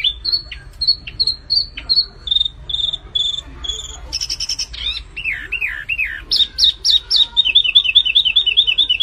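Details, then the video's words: Energetic flamboyan bird song, a tutor and provocation recording: repeated short, high whistled notes, then a buzzy burst, descending slurred notes and a fast, bubbling run of rising chirps. "SUARA BURUNG MIRIP FLAMBOYAN GACOR"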